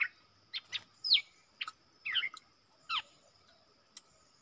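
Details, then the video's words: Caged decoy bulbul singing to lure wild birds: scattered short bright chirps and downward-sweeping whistled notes, spaced irregularly about a second apart, with a faint steady hum behind. "รวมคลิป นกต่อ ร้อง&ริก!!!ใส่นกป่า"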